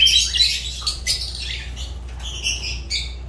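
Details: Fischer's lovebird in rapid, shrill chattering, dense scratchy notes running together then breaking into short high squeaks.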